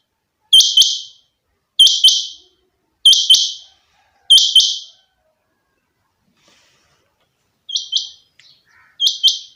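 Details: A pet rain quail repeats a sharp, high, metallic double note, one pair roughly every second and a quarter, six times over against near silence.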